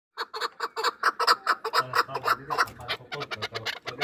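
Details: Hunting chukar partridges from Norak, Tajikistan, two years old, giving a rapid run of harsh clucking notes, about four a second, with a low human voice murmuring underneath in the second half.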